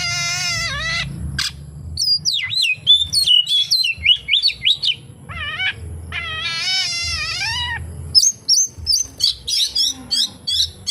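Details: Oriental magpie-robin singing a song filled with kapas tembak imitations: nasal harmonic rising notes alternating with rapid whistled warbles and sharp chips in quick bursts.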